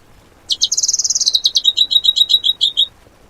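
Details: Fill-in material for cage-bird song training, 'tembakan' type: a dense, very high twittering chatter that turns into a quick, evenly spaced series of clipped chipping notes, ending abruptly.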